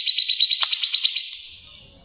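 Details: Actively singing grey-cheeked bulbul, used as tutor song for caged birds: a quick, even, high trill of pulsed notes that fades away after about a second and a half.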